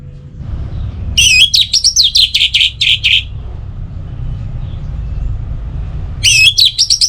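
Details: Lure song of the orange-headed thrush for morning and evening, used to get birds singing: a fast chattering run of about a dozen sharp, wavering notes, a pause, then the same bright chatter starting again.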